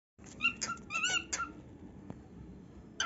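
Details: Pet male cockatiel indoors, being taught a song, giving a few short harmonic meow-like calls clustered in the first second and a half, then a quiet pause and one more call at the end.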